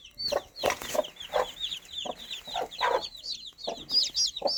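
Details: Hen clucking to her baby chicks while the chicks cheep busily: high, downslurred peeps dominate, broken by about a dozen soft, low clucks spaced irregularly.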